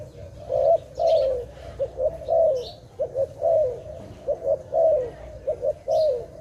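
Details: Dove, filmed in a bird-trapping setting, giving steady rounds of low coos, a long falling coo alternating with quick paired notes about every second, with faint high bird chirps above.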